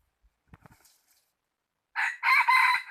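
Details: Rooster crowing, recorded on 16 January 2020: a few faint taps and clicks, then after a silent gap a loud, harsh crow begins, rising into a strong sustained phrase that runs to the end.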